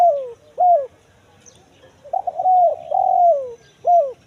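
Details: Spotted dove lure recording in the kuk 1 mersik call type for attracting forest birds: short descending coos, a gap, then a wavering stutter leading into a long drawn coo and a hooked end note.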